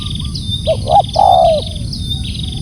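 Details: Calling spotted dove giving a loud low coo: two short hooting notes, then a long drawn, gently falling croon. Thin high chirps from other small birds repeat steadily behind, over a low rumble of background noise.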